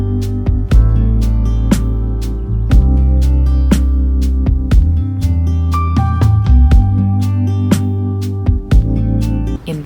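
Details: Steady music with low sustained tones and regular plucked or percussive beats, with possible speech underneath and no animal sound.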